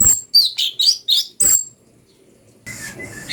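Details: Cucak cungko (brown-breasted bulbul) singing as a master for magpie-robins: about six quick, sharp chirps in a burst, then near-silence and a faint, thin whistle at the end.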